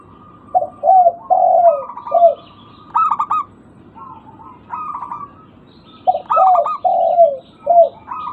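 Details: Local zebra dove calling, used to coax silent birds into song: two full phrases of low, rolling, downslurred coos, each followed by stuttered higher notes, with quiet gaps between phrases.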